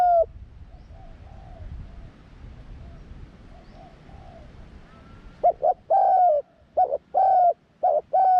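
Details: Young spotted dove on a first trip into the forest for training. Faint, distant cooing drifts through for several seconds, then loud close coos begin: short paired notes and long, slightly falling coos in quick succession.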